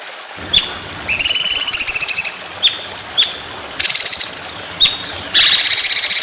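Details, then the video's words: White-rumped shama competition song with long rapid-fire phrases: isolated sharp high clicks between long buzzy rattling trills and a dense harsh burst at the end. "Masteran Burung Lomba Tembakan Panjang Roll Speed"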